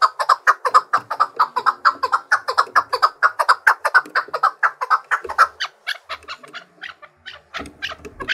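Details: Trained fighting Chukar partridge singing against rivals: a fast run of harsh chuk notes, roughly two each second, that later grows softer and irregular before a burst of background noise at the end.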